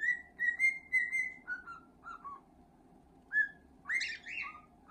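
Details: Male cockatiel singing as it is scratched, long ringing whistles repeated at first, then lower falling notes, ending in a burst of harsher, buzzier chirps, steady indoor hum beneath.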